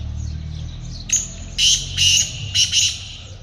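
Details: Black francolin (kaale teetar) calling, linked to hunting: after a quiet second, a short harsh note, then four loud rasping, grating bursts in two close pairs over about two seconds, with a low rumble underneath.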